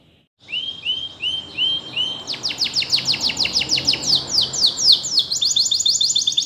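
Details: Canary song used for song training: after a brief silence, a run of rising whistled slurs, then fast repeated downward sweeps and rolling high trills at a steady pulse.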